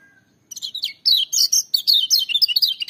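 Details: A lemon-bellied white-eye sings powerfully in the gacor style, pouring out rapid high chirps and twisting whistled notes that run without stopping to the end.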